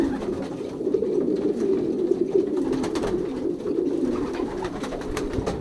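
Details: Pairing season in a loft of young racing pigeons, 2023: many birds coo at once in a soft, pulsing, low murmur, with light ticks and shuffling throughout.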